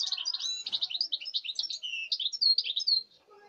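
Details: European goldfinch of this season, dated 05.08.2019, runs a rapid unbroken string of bright chirps, slurred whistles and trills, ending abruptly.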